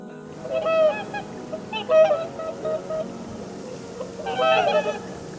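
Three bursts of nasal, trumpeting honks from a swan, about a second and a half apart, with soft music playing underneath.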